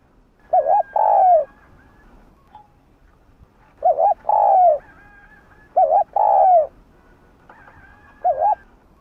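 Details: Spotted dove used as a lure bird, cooing to prompt other doves to call. It repeats a phrase of a quick double hoot followed by a longer falling coo, roughly every two and a half seconds. A faint, higher second caller is heard behind.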